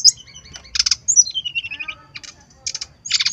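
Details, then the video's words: Brown-chested jungle flycatcher song recorded to make captive birds sing: harsh buzzy bursts separate a smoothly falling, wavering whistle that runs into lower trills. "SUARA SRDC GACOR PANCINGAN SRDC BIAR BUNYI"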